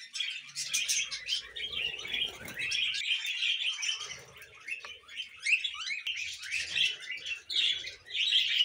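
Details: Pet budgies giving a continuous busy warble of buzzy chirps and rasping notes, louder toward the end, with soft low rustling in the background.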